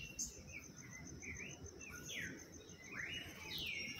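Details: Audubon's oriole (Icterus graduacauda), call.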